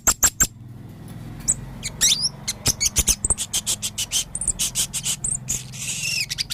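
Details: Male blue-crowned hanging parrot with red throat, singing a full varied repertoire: high clicks, twisting squeaky phrases and a dense stream of shrill chirps, ending in a harsh buzzy note.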